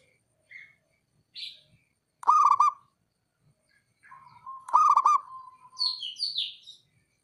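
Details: Male local zebra dove giving a rival-provoking call: two loud bursts of rapid rolling cooing notes, the second trailing into a drawn-out hum, while small birds chirp high and sharply around them.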